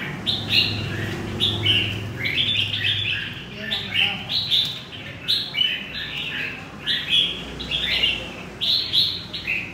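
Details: Central Vietnamese red-whiskered bulbul, wild-caught, delivers a long chattering string of clear, lilting whistles in short phrases roughly every second, steady throughout, backed by a faint low rumble.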